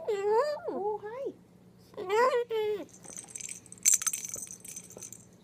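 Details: Indoor Moluccan cockatoo kept as a pet says two bursts of speech-like phrases with wavering, harmonic pitch, followed by a bright metallic jangling like keys.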